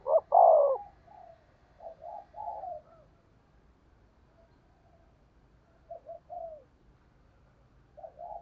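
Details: Spotted dove decoy cooing in the 'thúc gù' native-voice style: one loud clipped coo phrase opens, followed by softer, lower murmured coos at uneven intervals, the last two phrases quiet and short.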